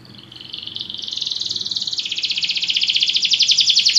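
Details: Belgian canary in song for training: a rapid, rolling trill that climbs slightly and grows steadily louder, breaking into a faster, higher pulsed rattle halfway through, very regular beats throughout.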